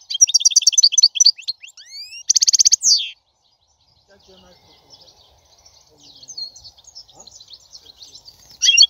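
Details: European goldfinch singing: about three seconds of rapid, high, tinkling twitters and buzzy trills, then faint scattered twittering, ending with a short bright burst.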